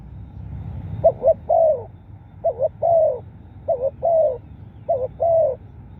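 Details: Cooing spotted dove used to draw in wild birds, giving three phrases of a stuttered double coo and then a drawn-out descending hoot, spaced roughly 1.2 seconds apart, with soft low background hum.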